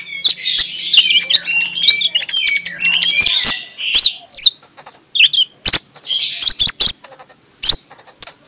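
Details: Magpie-robin singing in the morning in the open 'ngeplong' style, used as a lure to get sluggish magpie-robins singing: rapid high whistled phrases and trills with sharp clicking notes, pausing near the end between short bursts.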